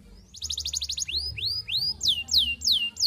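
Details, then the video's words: Canary song used to court a female and as a lure to make other canaries sing: a fast buzzy trill of short notes near 4–6k, then loud rising-then-falling whistled sweeps repeated about three times a second. "Kenari Gacor Panjang MERAYU BETINA Cocok Buat Pancingan Semua Jenis Kenari Biar Ikut GACOR NGEROLL"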